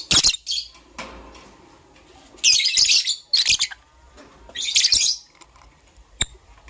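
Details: Green and blue lovebirds kept as pets, chirping while preparing for egg laying in the morning: loud harsh high chirps in bursts, a quick pair at the start, then longer rasping clusters around the middle and a final burst, with quiet gaps between.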